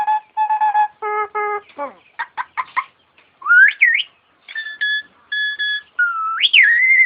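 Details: Starling singing vigorously: flat, nasal harmonic notes repeated in pairs, a quick descending rattle, then rising swooping whistles and buzzy double notes, closing with a long wavering whistle.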